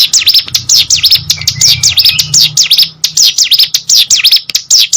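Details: Hill prinia in captivity pouring out a busy song of shrill, sharply bending notes repeated in rapid bursts, with a soft thin whistle in between and low hum underneath.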